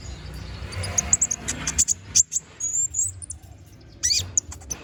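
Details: Konin bird in full song, played as a model for magpie-robins. Shrill, high twittering phrases with quick chips and short warbled strings, broken by brief gaps, over a low droning background.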